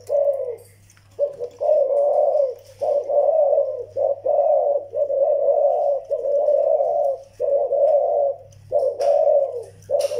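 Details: Indoor recording of zebra doves, one young of Malay stock and one old Vietnamese decoy bird, cooing in bursts of low, trilled, burbling notes, with brief silent gaps between phrases and a constant low hum.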